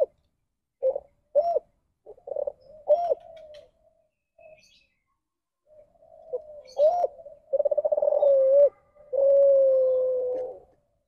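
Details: Spotted dove in the ndanglong style, an off-standard coo said to come from inbreeding in its bloodline. Short clipped coos and soft notes lead into a rapid stuttering pulse burst and a long level drawn-out coo at the end.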